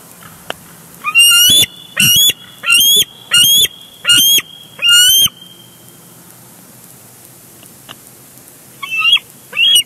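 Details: Bald eagles fighting over a big fish at their Big Bear Lake nest on 23 June 2022. A run of six rapid, piercing, chattering cries, a pause with faint background, then two weaker shrill bursts near the end.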